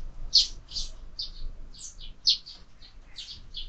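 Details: Sparrows visiting a window feeder where birds are fed year-round give clear, clipped chirps, some paired, spaced irregularly with short quiet gaps between them.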